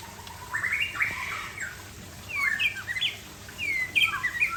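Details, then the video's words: Relaxed afternoon song of a white-rumped shama of the Aceh type: a rising whistled phrase, then bursts of varied slurred and twisting whistles coming in irregular clusters, with soft background hiss. "Murai Aceh - SMBF # Santai Sore"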